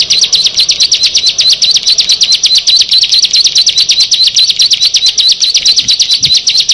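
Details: Bar-winged prinia (Prinia familiaris) pouring out a fast, unbroken string of high, sharp chips, roughly seven or eight a second, with a couple of soft low thumps near the end.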